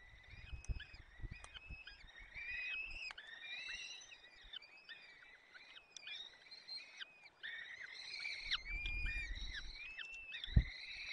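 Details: Peregrine falcon chicks in their nest in the Barycz Valley, late April 2020, fed by the male with prey; loud dense chorus of harmonic whines, arched and repeated in quick succession, with low rustling and a sharp knock near the end.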